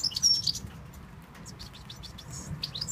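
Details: European goldfinch from Tunisia singing: scattered high thin notes and short twittering phrases, with a brief pure whistle near the start, over a low background hum.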